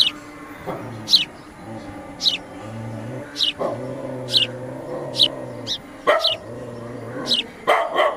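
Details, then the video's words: Sparrow calling in the morning: short, sharp descending chirps repeated about every second, over steady low humming tones in the background. "natural Sparrow Sound Effect | sparrow moment | sparrow sound"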